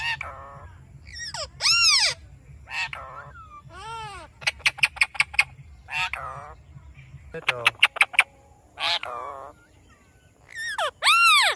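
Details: Parrot calling "Mithu Mithu": loud harmonic arched calls alternating with rapid clicking rattles and wavering voice-like notes over a faint low background hum.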